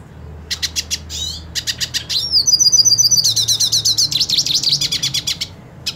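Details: Purebred hooded siskin eager to fight another hooded siskin; sparse sharp high ticks lead into a sustained, rapid, buzzy and wavering twittering song lasting over three seconds.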